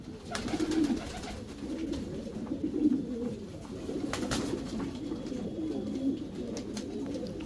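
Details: Racing Homer domestic pigeons in a breeding section, a continuous murmur of low coos with sharp clicks and taps from the loft.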